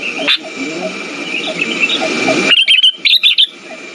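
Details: Sooty-headed bulbul song used as a lure for silent birds. Hiss and faint notes fill the first half, then a few clear, quick chirped phrases ring out near the end.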